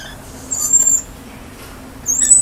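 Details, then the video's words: Lorikeets greeting a visitor outdoors: two thin, very high squeaky notes, each about half a second long and slightly rising, over a faint steady hum. "Lorikeets Saying Hi"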